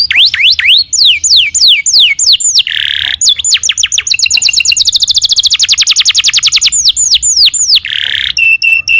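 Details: Canary singing 'gacor', full and nonstop, with varied phrases. Looping falling whistles give way to a short buzzy burst, then a long rapid trill of high slurred notes, then more spaced downslurs and a brief ringing chirp series at the end.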